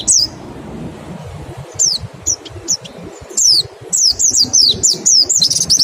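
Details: White-eye singing 'nembak', played as a lure for fast singing: one high falling note, a pause, scattered short whistles, then a quickening chain of steeply descending high notes.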